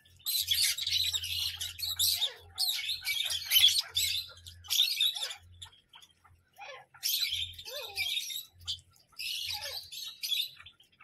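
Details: Parrot calling in several harsh, hissing, high-pitched bursts of about one to two seconds each, separated by pauses with a few soft chirps, over a low background hum.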